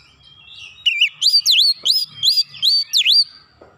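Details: Oriental magpie-robin song played as a lure to provoke a response: after a brief quiet start, a wavering note leads into a steady run of about seven loud whistles, each dipping down and then rising sharply.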